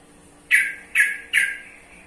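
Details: Three loud, abrupt notes from a sooty-headed bulbul (trucukan), each a harsh, slightly falling burst about half a second apart, with a low steady hum behind.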